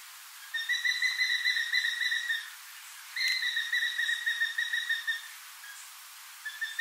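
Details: Crowned eagle recorded near Port Alfred in South Africa's Eastern Cape: two long ringing whistled phrases, each quavering rapidly and lasting about two seconds, separated by a short pause, with another phrase beginning at the end.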